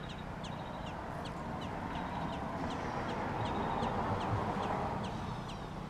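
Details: American robin nestlings in Georgia give steady, evenly spaced thin high chirps, roughly four each second, over a broad rushing background noise.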